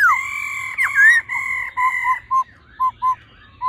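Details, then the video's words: Laughingthrush male singing in old wild-forest voice alongside a calling female, meant to excite males: long steady whistled tones with a swooping accent, then short clipped notes spaced irregularly. "khướu mái ro +trống hót giọng già rừng.kích trống nhanh căng lửa"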